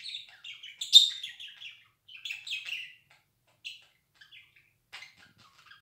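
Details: Pet budgerigar's 'laughing' twitter: a loud squeaky burst, scratchy warbled phrases, then sparse soft chirps and clicks tailing off into near silence.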